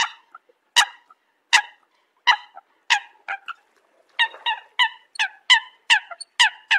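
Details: Eurasian coot calling to its flock: short, sharp harmonic notes spaced irregularly at first, then coming faster in a tight series of about ten clipped calls near the end.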